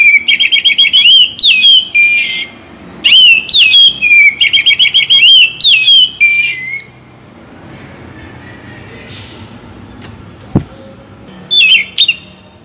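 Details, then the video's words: Morning and evening song of a Bagong-type Oriental magpie-robin, meant to encourage singing: fast series of repeated whistled notes in rhythmic trains, a pause with a faint hiss and a click, then a short final phrase. "Penggacor Kacer Bagong || Pagi dan Sore - Bikin Kacer Lebih Bersemangat Untuk Berkicau"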